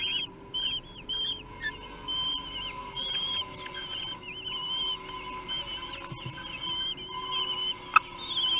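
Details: Common kestrel chicks, three weeks old, at a feeding in Théding, France, June 2021: scattered high, wavering whistled squeals over a steady electrical hum, with a sharp click near the end.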